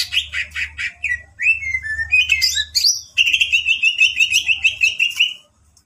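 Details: Champion greater green leafbird singing a full isian master song. Short repeated chirps lead into looping whistles and a sharp burst, then a long rapid rippling trill held on one pitch, over a low steady hum.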